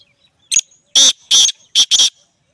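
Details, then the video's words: A single black francolin song phrase from Punjab: one short lead-in note, then four loud, harsh, scratchy notes in quick succession, the last two closely paired, over a quiet background. "Black Teetar birds Beautiful Singing"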